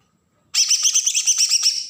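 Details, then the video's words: Agitated besetan song of a Kalimantan green leafbird from Berau, used to stir up untrained birds: an abrupt, intense run of about a dozen quick, shrill rattling pulses over a high whistle-like tone. "cucak ijo Kalimantan suara besetan pancingan burung bakalan"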